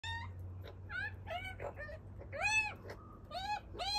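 A young magpie gives nasal, rising-and-falling squeaky calls, roughly twice a second, some almost meow-like, over a low steady hum.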